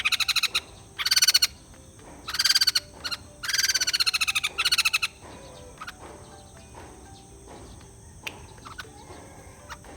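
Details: White-crested laughingthrush singing in bursts of rapid, harsh, chattering notes, each burst under a second long and repeated several times, followed by quieter scattered chips and faint high clicks.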